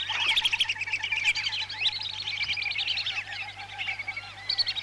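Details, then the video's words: Whistling ducks from Lampung, Indonesia, in a lure recording for trapping: a flock's dense, overlapping high whistles and twittering chirps, many short rising and falling notes running continuously with small pauses. "Pikat burung blibis Lampung Indonesia"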